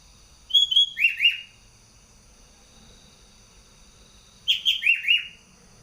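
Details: Sooty-headed bulbul singing full-out in a cage, a competition champion from Bogor, Indonesia: a ringing phrase of two level whistles and two falling slurred notes, repeated after about four seconds of near silence.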